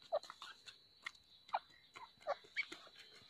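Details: Grey francolin in breeding season gives loud, ringing mid-pitched notes, spaced irregularly, over a steady high insect-like hum and scattered clicks.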